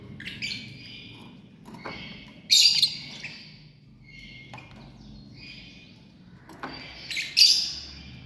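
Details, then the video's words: Lovebirds in a family group calling in scattered shrill chirps and screechy notes, with two louder harsh bursts rising above quieter chattering. "Love Birds 🔴 Sounds | Live - Family"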